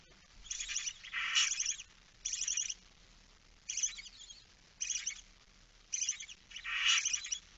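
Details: Barn owl chick left alone at the nest for a moment, 9 September 2019 at 20:09, giving harsh, rasping hiss-like screeches in about seven bursts of half a second each, with a louder, longer burst near the end.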